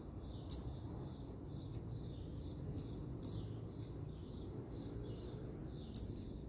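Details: Three sharp, very high, clipped notes from a Double-collared seedeater, spaced almost three seconds apart, with faint thin ticking notes between them against steady low hum.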